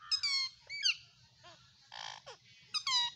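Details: Pet ringneck parrot vocalizing indoors: squeaky, rasping, harmonic syllables with speech-like rising and falling inflections. The phrases are broken by short pauses, and a low background hum runs throughout.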